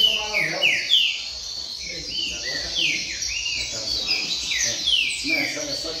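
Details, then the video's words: At a seedeater contest circle, a brown-plumaged double-collared seedeater delivers a steady string of sharp, falling slurred notes, roughly three per second, while people chat quietly nearby. "Coleiro Pardo Cantando Firme Na Roda de Coleiro!!!"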